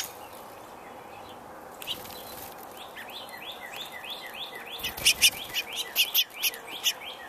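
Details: Spring woodpecker in Indiana giving a steady run of quick, evenly spaced rising-falling notes that begins after a quiet start, overlapped near the end by loud, sharp high chirps from another bird.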